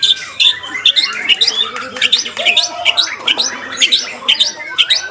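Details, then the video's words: White-rumped shama, known locally as murai batu, singing in a contest: a dense, varied run of loud whistled and chattering notes, sharp high phrases repeated roughly twice a second, with faint background bird chatter. "MURAI BATU GALAXY"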